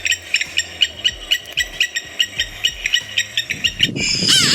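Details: African blacksmith lapwing, named for a call like a blacksmith's hammer, gives a fast series of sharp, metallic 'tink' notes, about five a second, like a hammer on an anvil, ending in a burst of music.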